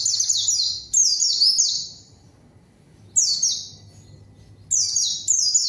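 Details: Vocal white-eye singing as a lure to call rivals and get untrained birds responding; several quick bursts of very high, descending chirped notes, clustered in pairs with short pauses between.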